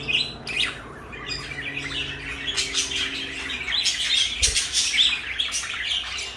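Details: Two pet parakeets, one blue and one light yellow, kept together indoors as companions; bright chattering chirps and short squawks come in bursts, with a low steady hum underneath and a brief thump midway.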